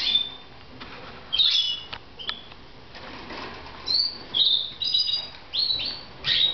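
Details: Short, high, whistled chirps from red mosaic pet canaries in Moudania come in scattered bursts. Brief clicks and light wing flutters can be heard between them, with the calls growing busier toward the end.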